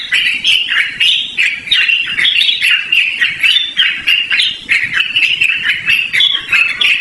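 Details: Yellow-vented bulbul in extended continuous song for luring or training: fast, jumbled bubbling notes delivered nonstop for seven seconds, dotted with sharp ticks.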